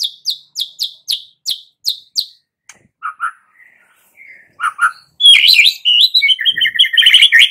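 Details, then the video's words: Young wild-caught White-rumped shama lure song opens with about nine sharp high downslurred notes in even series, then soft scattered calls, then a loud fast tumbling warble. "Pancingan Murai Batu MUDA HUTAN dan PASTOL agar GACOR NGEPLONG"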